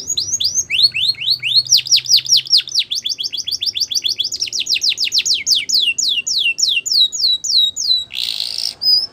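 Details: Border canary song used for training young canaries: rapid series of high descending sweeping notes in rolling tours, speeding and slowing, ending with a short harsh buzzy burst and a brief whistle.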